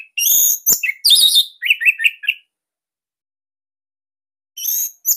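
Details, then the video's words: Loud Bali orange-headed thrush song, offered as master material for captive birds: long buzzy notes and sharp clicks followed by a row of short quavering whistles, then silence and a brief closing buzz. "Kicauan ANIS MERAH Ini Cocok Buat Masteran Burung Sahabat Dirumah."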